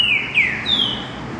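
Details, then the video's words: Green-winged saltator, mateiro-style song: a quick pair of falling whistles followed by a longer, higher whistled note that slowly drops, with soft background hiss. "Trinca ferro TERRÍVEL mateiro"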